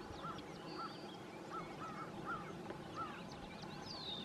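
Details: A Common Loon family on Northstar Lake, with a chick being fed, gives short, soft arched hoots, about six in four seconds at an uneven pace, over thin chirps of other birds and a steady outdoor hiss.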